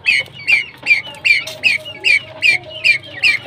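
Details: Kept pheasants calling: a quick series of about nine high, squeaky, downward-slurred notes, each roughly 0.4 seconds apart and evenly spaced, over a steady low hum.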